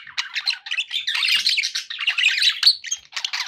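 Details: Pet budgerigars kept as company birds, chattering in a busy stream of scratchy chirps and squawky warbles, dense and continuous with brief gaps, several birds overlapping indoors.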